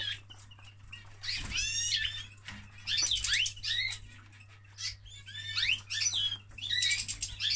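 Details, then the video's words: Canary male in mating season delivering fast warbling song, dense rising and falling twittered phrases and trills separated by brief pauses, a low steady hum underneath and a faint flutter near the start. "Male of Canary Mating - لحظة تزاوج الكناري"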